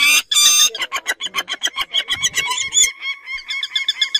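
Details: Peregrine falcon: a harsh, screaming note, then a fast run of grating, repeated kak notes, about seven or eight a second, easing into thinner, higher chips.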